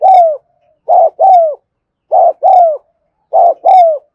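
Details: Close, loud spotted dove in 'thúc gù' cooing, recorded in the afternoon: a short low hoot followed at once by a longer descending coo, the pair repeated about every second and a quarter.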